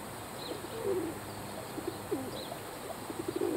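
A pigeon gives low, soft throaty coos with a gentle rolling wobble, a few in quick succession, over a faint background hiss.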